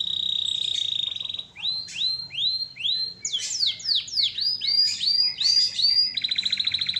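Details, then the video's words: Canary in full song for training other songbirds: a steady high whistled tone, then a series of upswept notes repeated twice a second, ending in a rapid buzzy trill. "Masteran asli kicauan burung kenari gacor full paling indah dan merdu"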